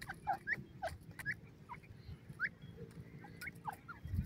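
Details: Forest francolin chicks peeping: clear, quick downward-sliding chirps come in small bursts every half second or so, with a soft low hum underneath.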